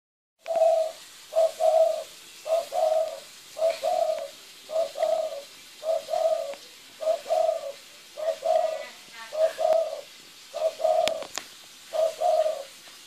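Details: Zebra dove (terkukur) giving a steady series of soft, rolling staccato coos, each short burst repeated about once a second, low and even in pitch.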